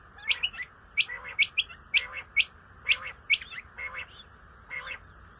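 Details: Common quail (Coturnix coturnix) calling: crisp, liquid three-note phrases repeated steadily about once a second, each note sharp and high, over a soft background hiss.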